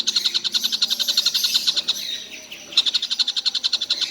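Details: Collared kingfisher heard calling all day without stopping, a rapid series of grating notes that stalls for about a second, then restarts at the same quick pace.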